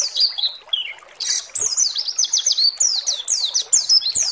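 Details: Rapid, thin white-eye (pleci) singing meant to excite other pleci: high descending slurs, a short buzzy burst, then a quick chain of sharp chirps in regular beats.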